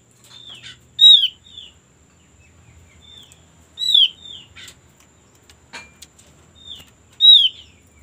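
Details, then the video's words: Lure recording of a white-eye meant to make birds start singing quickly. Loud, piercing, down-slurred whistles repeat roughly every three seconds, each followed by a softer echoing note. A few faint clicks sound in between. "pancingan paling ampuh agar cepat bunyi untuk burung opyor"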